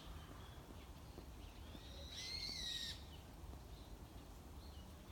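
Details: Wild bird singing in the morning, heard but unseen: one faint clear whistled phrase, slightly wavering, over a steady low rumble of background noise.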